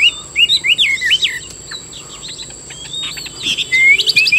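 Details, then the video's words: A Chinese hwamei kept in Vietnam, round-bodied with brown wings and tail, gives brief zigzagging whistled phrases, falls quiet for about two seconds, then ends with sharp rising whistles; a thin high whine persists. "Họa mi hót hay"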